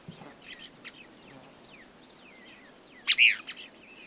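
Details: In early July, a Cassin's kingbird calls from the upper third of a lone ponderosa pine at a prairie–pine edge in Rosebud County, Montana: a loud, burry, downslurred call near the end, after thin high chirps and slurred whistles over faint hiss.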